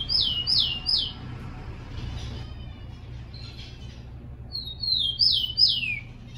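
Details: Training song of a captive rufous-collared sparrow: three fast down-slurred whistles open, faint chirps follow in a quiet pause, then a longer phrase of rising and falling slurred notes returns.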